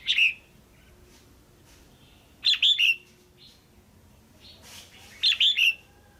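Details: Female red-whiskered bulbul kept in a cage, calling to rouse a male or to pair: three bursts of clipped, bright whistled notes, each group of two or three, spaced roughly two and a half seconds apart.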